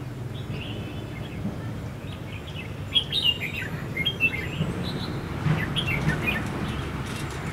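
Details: Red-whiskered bulbul fighting song during decoy trapping on the first day of Tet 2016: short warbled, liquid phrases in bursts, some overlapping, over steady low rumbling outdoor noise.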